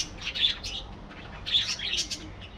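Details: Colony budgies give two bursts of high, warbling, twittering notes separated by a short lull, with a low hum underneath.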